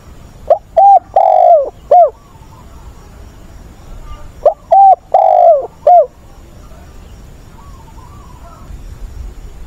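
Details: Spotted dove kept as a training decoy for newly caught birds, with an agitated wild-bird voice. Two four-part cooing phrases come about four seconds apart, each a short note, a level coo, a long falling coo and a closing hoot, with faint background hiss.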